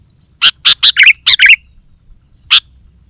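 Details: Sooty-headed bulbul singing to provoke rival bulbuls: a fast run of five or six bright notes dropping into lower gurgling warbles, then a pause and one lone sharp chip.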